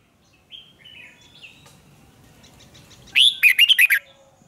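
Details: Red-whiskered bulbul performing fired-up duel song to stimulate young birds: faint soft chirps at first, then a loud rapid phrase of about six rising and falling warbled notes at the end.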